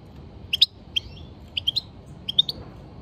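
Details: European goldfinch giving sharp, high chirps in pairs and small clusters, spaced about half a second to a second apart, each note bright and quickly rising, against a quiet low hum.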